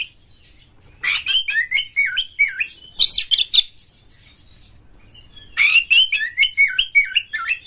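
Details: Oriental magpie-robin (kacer) lure song for stirring other birds to sing, harsh varied material; two long phrases of rapid looping whistles and chirps with a harsh high burst between, a quiet interval in the middle.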